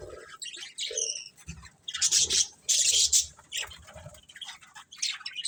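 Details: Pet budgerigars chirping: bursts of bright, scratchy high chatter and warbled twitters, loudest in dense clusters midway, separated by short quiet gaps.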